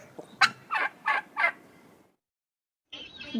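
A turkey gobbles in four quick, harsh, rattling bursts about a third of a second apart, then falls silent before another sound begins.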